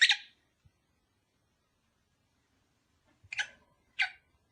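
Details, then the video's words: Lovebird, a kept pair, calls played to encourage mating: a sharp harsh chirp at the start, then two short buzzy chirps near the end, indoors with faint clicks. "Cara ampuh untuk memikat sepasang burung agar cepat kawin"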